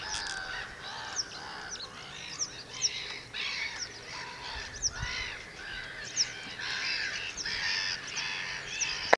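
Western yellow wagtails give thin, high, arched chirps over and over, overlapping in a busy chatter, with other small birds calling in the background.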